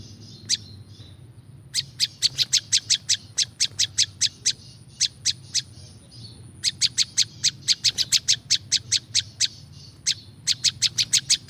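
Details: Olive-backed Tailorbird recorded for luring wild birds, delivering several bursts of shrill, rapid chipping notes separated by short pauses, each burst with a dozen or more quick repeats; faint low hum throughout.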